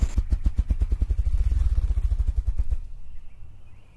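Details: Ruffed grouse drumming, a display made by rapidly beating the wings and given mostly around dawn, heard as deep, muffled wing thumps that start slow and speed into a rapid whirring roll, then fade away.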